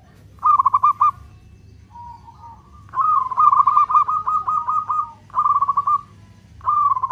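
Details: Local zebra dove singing long-beat cooing used to provoke other doves into singing: bursts of rapid, bubbly coos near one pitch, a long rattling phrase mid-way, a softer second dove cooing between, steady low hum behind.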